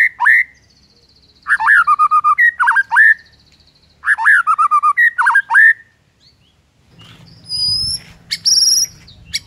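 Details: Morning song of a white-rumped shama meant to provoke rivals: loud repeated phrases of rich whistled notes with sharp downslurs, given in bursts about every two seconds, ending in softer high notes over a low hum.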